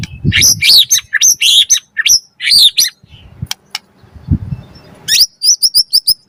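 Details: White-rumped shama song meant to provoke other birds to sing: fast high sharp whistled notes in clusters, a pause with low thumps, then a rapid run of repeated high notes.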